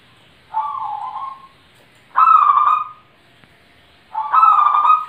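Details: Zebra dove giving repeated rolling coos, three mellow, slightly trilled phrases roughly every two seconds, each under a second long, with little else audible.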